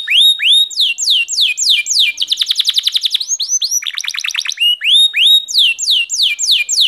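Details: Canary song alternating broad arched whistles with fast buzzy trills, a lower rattling run midway, then a return to loud repeated sweeping phrases.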